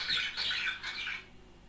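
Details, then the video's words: Budgerigar pair giving a short run of harsh squawks and chirps, a sound to encourage mating and singing, ending in quiet. "تحفيز# طائر البادجي على التغريد والغناء صوت يحفز البادجي على التزاوج"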